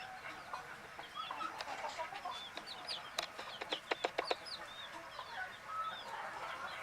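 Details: Sleeping baby chicks make scattered thin, high peeps, some arching up and down, over a low hiss, with a run of sharp clicks near the middle.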